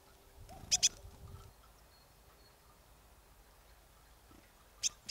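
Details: A marsh tit at Kawęczyn, Nowy Korczyn, Poland, gives sharp, explosive high notes in quick pairs, one pair at the start and another about four seconds later, with a faint low rumble at the beginning.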